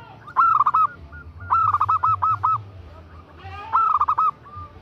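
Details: Female zebra dove calling a male, with three stuttering bursts of rapid cooing notes, each under a second long and spaced more than a second apart, over a low steady hum.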